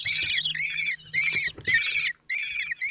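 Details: Four common kestrel chicks, 16 days old, in a Théding nest on 26 June 2023 as the father feeds them; shrill, slightly descending squeals come in half-second bursts separated by short silences.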